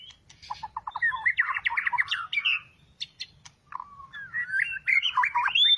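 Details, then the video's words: White-rumped shama fresh out of a two-month moult, kept as a cage bird, delivering a jumbled run of quick trilled notes and rising whistled phrases, with a brief pause midway and faint low background hum. "Chòe lửa vừa xong lông - shama Birds"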